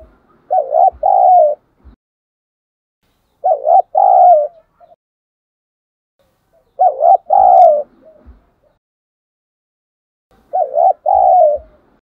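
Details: Decoy spotted dove calling to lure wild doves toward it, in the 'thổ sấm' voice style. Low mellow cooing phrases of two to three hooting notes, repeated about every three and a half seconds with silence between.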